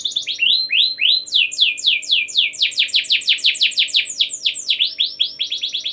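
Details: Canary in continuous 'gacor' song meant to prompt other canaries to join in, delivering a loud rapid series of downward-slurred notes, about four per second, tightening into a quicker roll near the end.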